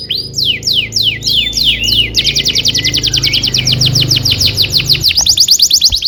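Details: Canary masteran song for young canaries: quick repeated downward whistled sweeps accelerate into a long, even, rapid roll, with a faint low background hum.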